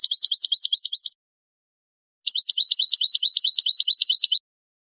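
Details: Basic goldfinch song with tableteo phrasing: quick, evenly paced, high chattering notes in a short run, a silent gap of about a second, then a longer run of the same sharp twitter.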